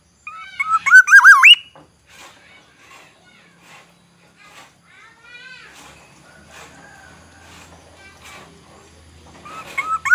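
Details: Black-naped oriole, Aceh forest bird: a loud, rich, warbling whistle with rapid upward slurs opens, then faint scattered chirps and rustling follow. Another fluty phrase begins right at the end.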